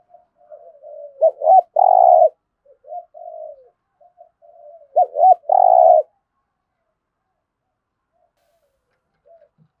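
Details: Cooing of a spotted dove, Thổ-style song used to urge caged doves into calling and sparring: quiet murmuring coos build to two loud phrases, each with short hooked notes and a long buzzy coo, then silence.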